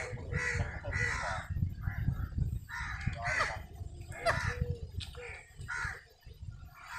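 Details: Crow calling while eating, in a face-off with a squirrel: harsh nasal caws in short bursts, about seven over several seconds, some doubled, above a steady low rumble of background noise.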